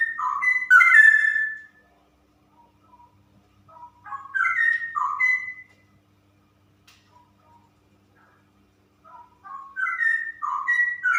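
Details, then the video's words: Caged female straw-headed bulbul singing three loud bursts of rich, bubbling, whistled warbles, separated by pauses of about two seconds that hold only a few faint notes. "Burung Cucak Rowo Betina Super Ropel"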